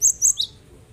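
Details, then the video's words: Cinereous tit singing as a lure for birds slow to sing: three loud, piercing whistled notes in quick succession, each slightly lower, then stillness. "Burung yang malas bunyi dengarkan ini insyaallah langsung ikut bunyi"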